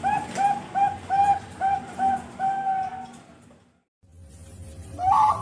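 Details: Bred zebra dove, father bird with two offspring hatched in March 2022 in Pasuruan, Indonesia: a string of short and drawn-out mellow coos for three seconds, then a gap and a brief rising note.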